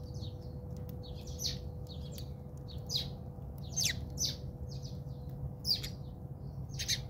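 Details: A backyard fight among house sparrows in South Africa, with rapid, scratchy chirps that come in clusters and a few louder, emphatic notes, all over a faint, steady background hum.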